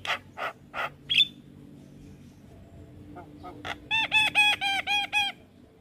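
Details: Javan myna song meant for training young mynas: three harsh rasps and a short whistle, a quiet stretch, then six evenly spaced, nasal, harmonic notes in a steady row.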